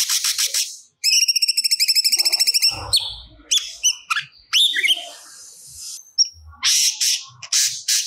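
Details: Vigorous cucak cungkok song used as training audio for songbirds, delivering learned material: rasping bursts, then a fast even series of clipped chirps about two seconds long, followed by varied sharp whistles and harsh chattering notes.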